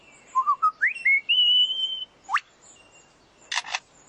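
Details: A male lyrebird in forest, trying to outdo his rivals, mimics a camera with a motor drive: a loud, pure whistle climbing in steps, then a fast upward sweep, ending with two sharp mechanical shutter-like clicks.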